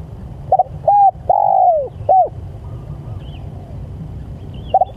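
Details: Spotted dove calling to its companions: short cooing notes, then a long falling coo and a final short note, with a low background rumble and faint distant chirps.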